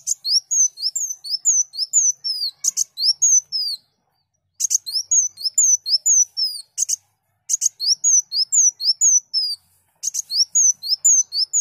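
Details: Sunbird delivering bursts of song, kept for teaching other songbirds: strings of rapid high whistled slurs, each phrase opened by sharp chattering notes, separated by short silent gaps.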